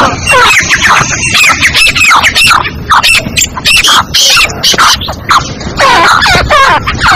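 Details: Calls of a female black francolin meant to lure other francolins quickly: shrill, rasping notes with wavy harmonics, bunched in fast clusters about two per second, some overlapping, with a continuous hiss beneath.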